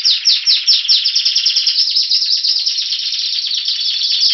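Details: Spanish Timbrado canary singing in February at Anavissos, Athens, Greece: a few slow descending notes open into a fast, even, bubbling trill that runs steadily to the end.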